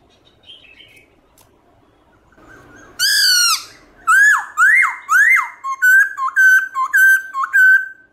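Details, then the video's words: Black-throated laughingthrush singing a morning forest-style song with switching voices. After a quiet start, loud ringing whistles come in, then rising-falling slurred notes, then a fast run of short, repeated whistled phrases, nearly two a second. "Khướu Bạc Má Hót Giọng Rừng ĐẢO GIỌNG Buổi Sáng Cực Hay"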